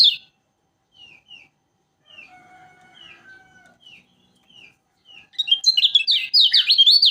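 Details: Lombok yellow flowerpecker (kecial kuning) singing in omyokan style, a recording used to coax other birds into song: soft, spaced high downslurred notes, then a loud rapid burst of twittering high chirps at the end.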